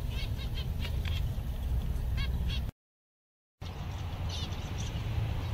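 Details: Seven zebra finches, content on a summer day, give short nasal calls with stacked tones, loosely repeated for about two seconds. A steady low rumble runs underneath, and a brief silent gap falls midway.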